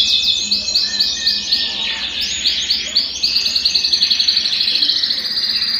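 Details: Belgian canary singing, played to warm up a cold canary: rapid repeated high chirped syllables in fast rolling series, shifting tour after tour, with a bright buzzy trill building toward the end.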